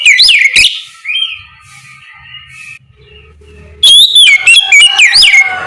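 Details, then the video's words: Oriental magpie-robin singing ngeplong in the morning as a lure for other birds to reply: a loud whistled opening, a quieter stretch with faint low hum, then another strong phrase of falling, ringing whistles. "Suara ngeplong Kacer di pagi hari, pancingan Kacer agar mau nyaut bunyi!!"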